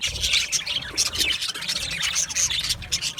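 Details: Aviary budgies chirping together: a steady wash of rapid, raspy high twitters with brief bright whistled notes scattered through it.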